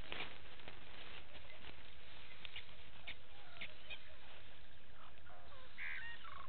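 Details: Blacksmith lapwing family with one chick at Gowrie dam waterhole, Djuma Game Reserve, Sabi Sand Wildtuin, South Africa, 06:28 on 09/08/18; sharp metallic clicking notes scattered irregularly, over a steady low hum and noisy outdoor background.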